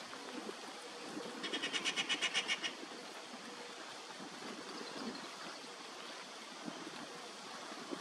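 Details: Rufous treepie in a tree near Rishikesh, India, making a ruckus: a harsh, rapid rattle of about ten grating notes in under two seconds, over a steady low background rumble.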